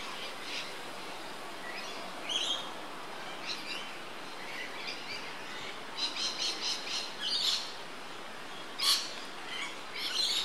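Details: Yellow honeyeater recorded 20 October 2013 at Port Douglas, Queensland, Australia, with a Panasonic Lumix GH3; bright high chirps and short rapid note series, some trilled bursts, over steady background hiss.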